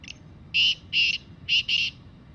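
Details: Wild black francolin calling in the jungle: a short note followed by four loud, harsh, buzzy notes, the last two close together, over a low rumbling background.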